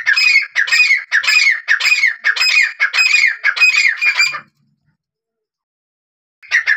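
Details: Grey francolin (teetar) giving a loud, harsh, squawking series of about eight notes, one every half second, then a pause before the series starts again; presented as a hunting call.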